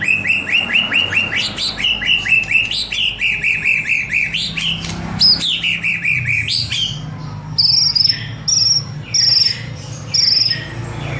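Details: White-rumped shama song used as a lure recording to provoke other birds to sing; fast series of rapid upslurred chattering notes for about seven seconds, then a string of short, high, clear whistles at regular intervals over a low hum.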